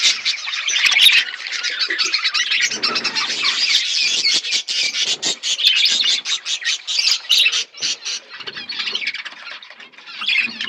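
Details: Flock of budgies eating food, keeping up a steady dense chatter of buzzy chirps and squawks from many birds for ten seconds.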